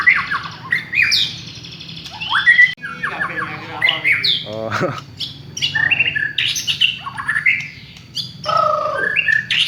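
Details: Village white-rumped shama song for luring birds: bright whistled phrases broken by a harsh rattling churr and squawks, then more varied whistles, faint hum underneath.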